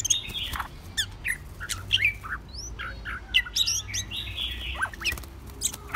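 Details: White-rumped shama song: rapid, varied whistles and slurred sweeps mixed with dry clicks and squeaky notes, crowded into a lively, continuous stream over a faint low hum.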